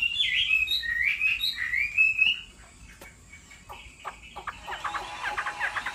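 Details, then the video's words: A female Chinese hwamei gives repeated harsh, rasping chatter calls that stir a male into song; rich, rolling whistled phrases pour out, then fall quiet before a quick run of harsh chatter near the end. "Họa mi mái xùy liên hồi kích chim trống căng lửa hót ngay"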